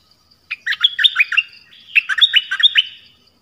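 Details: Malaysian Pied Fantail singing two close phrases. Each is a lively cluster of jumbled, rising and falling whistled notes, clear against a faint high background tone.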